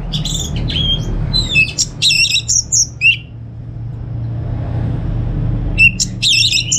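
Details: Orange-headed thrush singing at home in North Bali as a lure and model for other birds: a crowded flurry of high chirps and whistled slurs, then several seconds of near silence with low hum, then another short burst.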